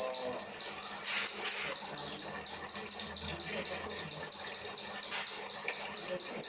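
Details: Kinoi 'rambatan' song, used as training material for cage birds, pours out as an even chain of shrill, high chirps repeated roughly twice a second without a pause.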